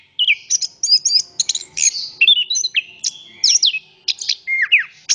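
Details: Very vocal orange-headed thrush pouring out a rich mix of high whistles, chirps and downward-slurred notes in fast sequence, phrases separated by short silences.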